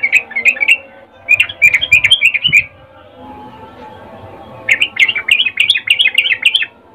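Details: Breeding-season call of a female sooty-headed bulbul to a male: two bursts of rapid, bright, bubbling notes, each about two seconds long, separated by a quiet gap with faint background noise.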